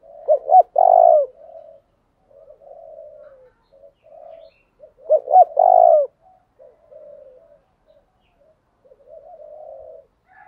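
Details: Lure spotted dove provoking wild doves to fight, repeating its low phrase twice, five seconds apart: two quick notes and a loud drawn coo, separated by soft gurgling coos.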